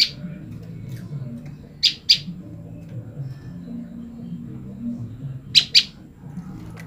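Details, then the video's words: Female olive-backed tailorbird calling to her mate after being separated: two crisp pairs of high, sharp chip notes about four seconds apart, with low steady background noise. "prenjak lumut betina memanggil pasangannya"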